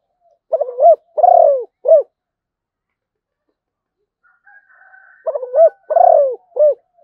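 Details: Malaysian zebra dove delivering two cooing phrases, each a run of short clipped notes, one long falling coo and a final short note, separated by a silent pause of several seconds.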